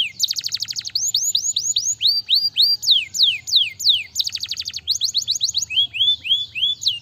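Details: Singing canary meant to prompt lazy canaries into song: rapid buzzy rattles alternate with series of bright downward-curving whistles, phrases changing every second or so, loud and varied throughout.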